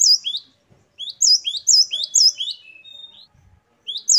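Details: Gelatik batu song: clear, high, repeated rising notes in a brisk phrase that tapers into a softer thin whistle. A brief gap comes before the notes resume.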